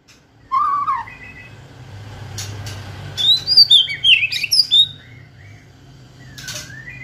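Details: White-rumped shama song used to provoke another bird into singing: a low whistled phrase, then a burst of high sliding whistles and chatter, over a steady background hum.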